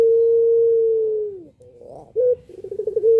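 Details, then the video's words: Puter pelung dove calling to provoke other doves into calling: a long, steady, drawn-out coo that slides down at its end, followed by a short clipped note and a fast stuttering run of pulsed notes leading into another sustained coo. "puter pelung paling jago pancing puter yg malas bunyi"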